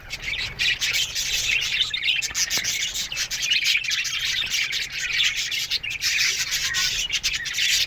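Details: Aviary colony of budgerigars in a steady morning chatter, an unbroken hissy wash of high chirps and warbles from many birds at an even level throughout.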